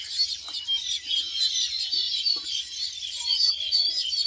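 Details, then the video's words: Many baya weavers around nests in palmyra palms in a field near Shantipur, India, on the Ganga; dense high chattering chirps overlap continuously, with a few faint lower notes beneath. "এবং সেই সঙ্গে সঙ্গে কত বাবুই পাখি এবং তাদের কিচিরমিচির শব্দে চারিপাশে কিরকম মুখরিত হয়ে উঠেছে।"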